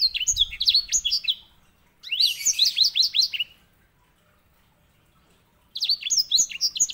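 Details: White-rumped seedeater, also called grey singing finch, giving master song for canary training: three lively bouts of rapid, high, downward-sweeping chirps and twitters, each lasting about a second and a half, with silent pauses between.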